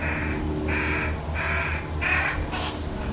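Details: Fish crow fledgling scene with parents feeding their only young this year; a rapid series of harsh, nasal calls, five bursts in three seconds, over low rumbling noise.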